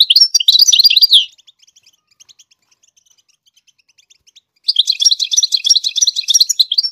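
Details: Goldfinch singing to teach chicks the song: a quick tinkling, twittering phrase, a pause with faint chirps, then a longer stretch of fast, liquid, slightly buzzy notes.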